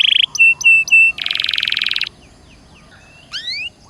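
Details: Canary (Serinus canaria) singing in 'gacor dor nembak' style as a prompt for another canary: short level whistles, a thick buzzy rattle of about one second, then faint rising notes before near quiet.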